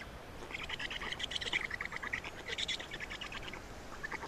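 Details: Nest of Black storks in Estonia, feeding time on 27 May 2019 at 10:39; a near-continuous run of quick, squeaky pulsed notes that clusters into short chattering bursts, fading toward the end.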